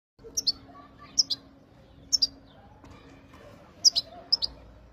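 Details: Wild European goldfinch in Jijel, 2023, singing bright, high, tinkling chirps in quick pairs and clusters about once a second, over a faint low steady hum.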